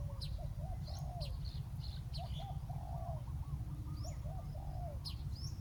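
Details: Spotted dove luring a wild bird down at a decoy site: gentle cooing phrases of short hoots ending in a longer rolling note, repeated about three times, with high chirps of small birds and constant low noise.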